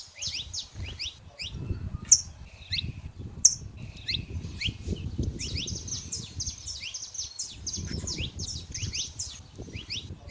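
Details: Wild saffron finches in nature, a chorus of many birds giving rapid bright chirps and short sweeping notes in overlapping bursts, over a steady low rumble in the background.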